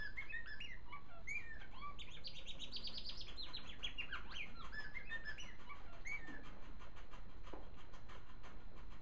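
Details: A pet male African silverbill sings a soft, rambling run of high chirps and quick little trills without pause over a steady low hum, hopping on his perch until it gives way beneath him.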